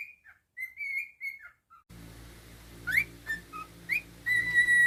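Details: A pet male cockatiel whistles a short tune in a quiet room, then a steady background hum and hiss begins, over which it adds a few quick rising chirps and a long, level whistle.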